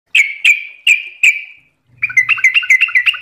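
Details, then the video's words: Sooty-headed bulbul (trucukan) song: four loud, clear, down-slurred whistled notes about half a second apart, a short pause with a faint low hum, then a quick run of bubbly, chattering notes. "MASTERAN TRUCUKAN GACOR"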